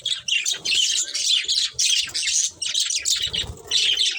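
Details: A budgie family keeps up continuous chirping: warbling, scratchy chatter and high squeaks layered over each other, with faint low background rumbles toward the end.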